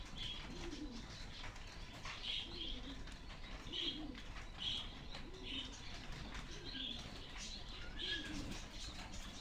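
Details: Black fantail pigeon, a fledgling just leaving the nest, giving short high squeaky peeps repeated roughly every second, some doubled, over a steady background hiss with occasional soft rustling.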